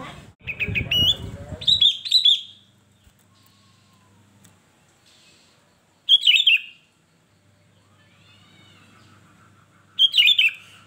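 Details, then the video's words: Kutilang, the sooty-headed bulbul, singing in gacor style: rich warbled whistle phrases come in bursts about every four seconds, with rustling noise under the first phrase and near silence between bursts. "kutilang gacor"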